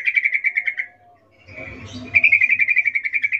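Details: Female sooty-headed bulbul's birahi 'ngecuplik' call for a male: quick strings of crisp, evenly repeated notes, about six per second, broken by a short muffled rustling gap before the rattle resumes.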